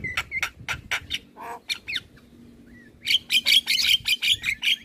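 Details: Male Javan myna with full-isian song used as a prompt for young birds; evenly spaced sharp chirps, a short whistled slur, then a rapid series of bright chattering notes.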